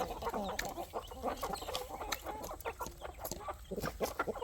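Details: Poultry farm flock of chickens and roosters being fed in the evening, giving dense, irregular clucks and short muttered notes over constant scratching and pecking.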